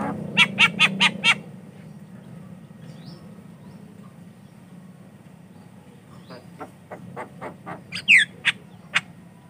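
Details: Javan myna in full song, used as a lure for untrained mynas: a quick run of five sharp broadband clicking notes, a quiet pause, then scattered rasping notes ending in a loud rising whistle.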